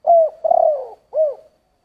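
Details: Spotted dove in the 'giọng thổ' singing style, three soft low coos in about one and a half seconds: a short note, a longer slightly falling note, then a short rounded closing coo. No other sounds.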